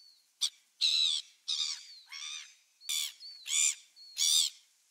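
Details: Gulls recorded on 27 December 2017, giving a series of harsh, nasal, high squawking calls in short bursts of about half a second, with brief thin whistled notes between them.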